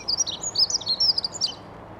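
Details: A territory-holding male dunnock sings in an urban allotment in Scotland: a quick, high, tumbling warble of jumbled squeaky notes lasting about a second and a half, quiet but musical, over faint low hum.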